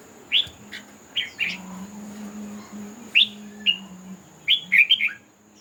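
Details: Red-whiskered bulbul in a singing contest, giving short bright warbled phrases in separate bursts about once a second, some notes rising and slurred, over a steady low hum and a faint high whine.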